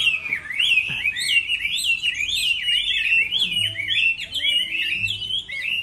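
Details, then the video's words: During the moulting season, a Chinese hwamei sings in a contest, producing a dense, unbroken warble of looping whistled notes that bend up and down, with occasional sharp accents. "Họa mi hót đấu mùa thay lông"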